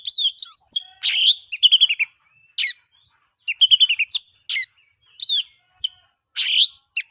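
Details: Oriental magpie-robin singing in dense, varied bursts of sharp chirps, trills and slurred whistles, used to encourage silent birds to start singing.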